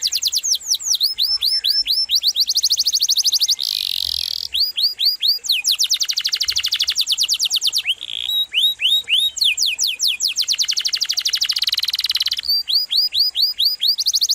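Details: Canary in full, rolling song, recorded as tutor material for other cage songbirds: long sharp phrases of rapid rising and falling sweeps alternating with dense high trills and brief buzzy bursts, with barely any pauses.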